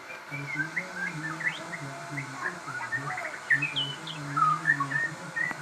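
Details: Crossbred shama in busy song, a steady stream of varied whistles and short slurred notes, with a low droning hum running underneath throughout.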